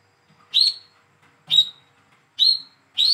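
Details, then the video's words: Young hand-reared Olive-backed sunbird in speckled plumage used as a lure for non-singing birds: four clear, sharp, high chirps spaced nearly a second apart against a quiet background. "PANCINGAN CALL KOLIBRI KELAPA/WICEH MUDA TROTOL BAHAN MACET BUNYI"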